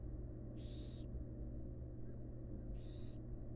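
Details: Wild barn owl at a monitored nest box, a female feeding her fledglings; two harsh, hissing screech bursts, each about half a second long, separated by a gap of about two seconds, over a steady low hum.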